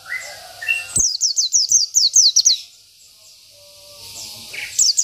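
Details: Local Oriental white-eye delivering gacor isian song for tutoring: a one-and-a-half-second run of about ten rapid, high descending chirps, followed by near quiet and a few soft notes.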